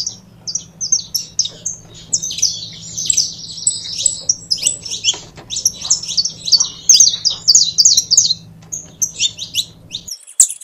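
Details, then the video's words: Saffron finch, canário-da-terra, starting with spaced chirps that build into a dense, rapid, jumbled warble of high notes, then easing back to separated chirps, over a low steady hum. "CANARIO DA TERRA"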